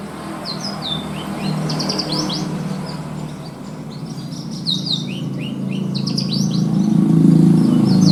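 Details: Javan bushlark, a caged contest bird with a luxurious 'isian' mimicry fill, giving bright, high, downslurred whistles and quick chirps in scattered phrases while a low rumbling noise grows steadily louder toward the end.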